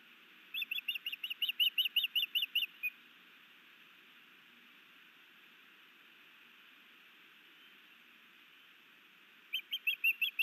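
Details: Osprey at a Montana nest cam in Hellgate Canyon, Missoula, 11 May 2019, afternoon, as a new male sky-dances and brings his mate a fish: a run of high whistled chirps, about a dozen quick notes, then silence and a second burst at the end.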